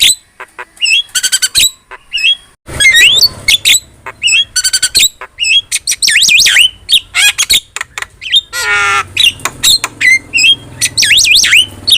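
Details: Javan myna in a long, varied song bout: rapid clicks and squawks, looping whistled phrases, a brief, harsh, nasal buzz near the end, and more wavering whistles, all delivered in quick succession.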